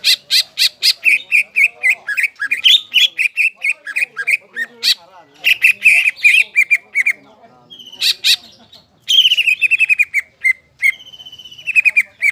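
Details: Greater green leafbird singing hard with raised crest, played to stir up stressed, silent leafbirds: rapid strings of loud chirps and whistled notes repeated several per second, a short pause, then dense chattering phrases and sliding whistles.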